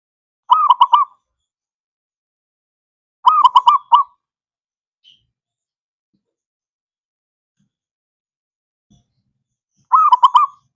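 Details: Zebra dove song played to coax silent doves into calling: three short bursts of rapid, rolling coo notes, each burst about half a second long, separated by several seconds of silence.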